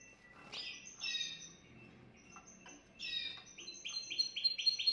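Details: Canary song meant to stimulate a female canary: scattered whistled chirps and brief notes, ending in a rapid, even trill of repeated high notes. A faint low hum sits underneath.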